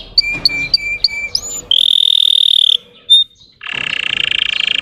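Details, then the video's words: Russian-type canary singing to provoke other canaries: short whistled notes, a steady high whistled tone, a buzzy trill, then a rough rattling roll. "PANCINGAN SUARA BURUNG KENARI RUSIA UNTUK MANCING EMOSI BURUNG BAHAN"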